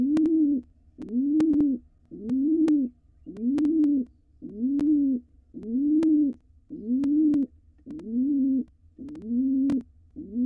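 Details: In a wild nest box, a male pigeon courts his mate beside nestlings preparing to fledge; ten or so deep, resonant coos follow one another steadily at about one per second, with intermittent clicks.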